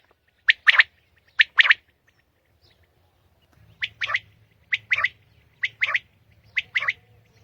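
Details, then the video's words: Common quail (batair) singing in early morning in Pakistan: short, sharp, buzzy notes in pairs and triplets, each group repeated roughly once a second, with a faint low hum behind. "Batair Ki naye Awazay| New Common Quail sounds| Batair Ki Awaz | Quail singing early morning in pak"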